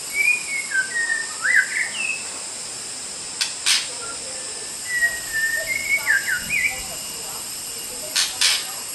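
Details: White-rumped shama song recorded to train other songbirds: varied whistled phrases with quick rising and falling slurs, repeated in bursts and separated by pauses, over a constant high hiss with occasional sharp clicks.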